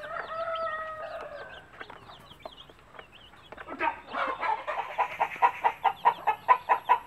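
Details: Native mother hen clucking to show her chicks food: a sustained call, high chick peeps, then a quick run of rhythmic clucks, about three per second, growing louder.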